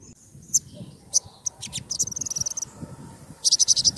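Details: Olive-backed sunbird song, also known locally as sogon, songon or sriganti, used as a lure and as training for other songbirds: sharp high-pitched chips and short rapid trills, over low murmuring voices and background noise.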